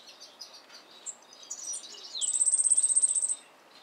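Yellow-faced Grassquit singing a few thin, high chips, then a dry, insect-like buzzy trill of about seventeen rapid pulses lasting just over a second.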